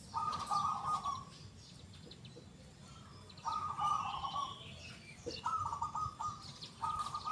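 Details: Local zebra dove singing with a big, clear 'kung' voice: three bursts of rolling, warbled cooing separated by quiet gaps, with faint high twitters of other birds.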